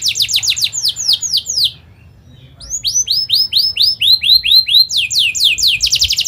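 Canary song in fast, repeated runs of high, downward-sweeping chirps, about seven or eight notes per second, broken by a short pause.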